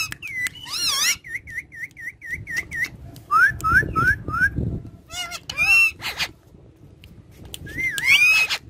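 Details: Pet parrots shown talking and dancing on a charpai give a varied run of calls: a short series of repeated falling whistles, then several quick rising whistled notes, harsh broadband squawks and a final wavering whistle, over low background hum.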